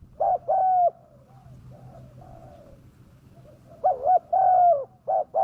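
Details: Spotted dove lure call meant to draw wild doves in: two paired hoots open, a stretch of softer distant cooing follows, then loud double coos return, short then drawn-out, over a low steady hum.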